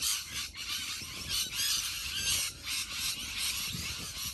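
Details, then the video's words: Huge flock of rainbow lorikeets in Australia, a dense wall of shrill, screechy, overlapping high calls with no gaps, loudness swelling and dipping every half second or so. "HUGE Flock of Rainbow Lorikeets"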